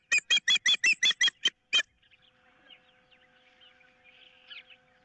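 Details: Osprey calling at its nest on 15 April 2023 as an intruder of some type is in the area, amid a squabble over a fish. A fast run of eight or nine piercing whistled chirps stops abruptly, followed by faint distant bird chatter and hum.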